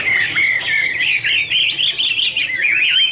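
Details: Chinese hwamei (Garrulax canorus) delivering a smooth, continuous warble of wavering whistled notes in a steady flow.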